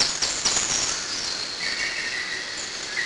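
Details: Eurasian blue tit parents feeding their chicks in a tree hollow; a steady, high hissing wash of begging with short clicking bursts early on, then a thin sustained whistle-like tone below it in the second half.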